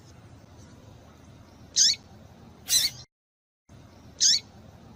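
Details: Calls of a female double-collared seedeater, played to warm up a male: three high, thin, downward-sweeping chirps near the end, roughly one second apart, over faint steady hiss, with a brief silent break.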